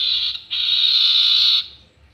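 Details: Common iora in a highly vocal lure recording. A harsh, buzzy rasp is briefly broken, then resumes for over a second before fading, with faint low rumble underneath.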